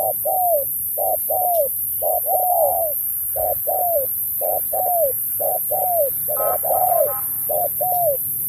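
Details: Spotted dove in a 2024 singing contest, Thúc style mixed with Bo: a long run of twelve or so phrases, each a brief note followed by a sweeping downward coo, evenly paced.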